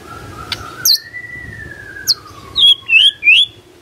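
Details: Magpie-robin song used to prompt other birds to answer: one long, thin whistle that slides slowly downward, broken by several sharp high notes near the end.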